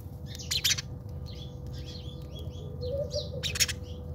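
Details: Fighting house sparrows in a South African backyard give quick, sharp chirps in loose runs, with louder clustered notes near the start and end, against a constant low-pitched hum.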